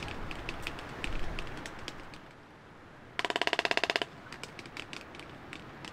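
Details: A pair of waved albatrosses courting on Española Island, Galápagos, clatter their bills together as in a choreographed sword-fight dance, giving a rapid, dry burst of wooden clacks lasting about a second over soft scattered ticking and wind.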